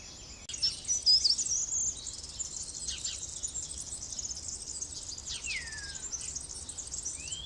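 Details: Short-toed treecreepers, a pair feeding insects to their nestlings, recorded by fixed cameras set well back from the nest: thin, very high, shrill calls in a dense, continuous stream, with a few brief down-slurred notes near the end.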